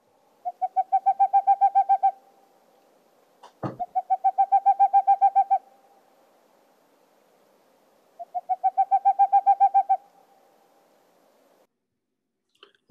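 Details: A Boreal Owl, a sought-after species at Mount Rainier, gives three rapid runs of low, hollow hoots, each about a dozen quick notes over two seconds, with a couple of soft thumps between them.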